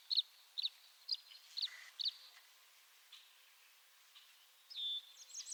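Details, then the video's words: Short bright chirps from a tree swallow, five in quick succession, then a pause and a thin drawn-out whistle followed by faint twittering. "Tree Swallow Call"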